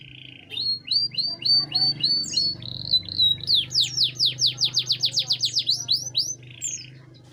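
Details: Canary singing, meant as a tutor recording for other birds: rising-falling whistled notes repeated about five times, a slurred phrase, then a rapid run of steep downward sweeps, over a steady low hum.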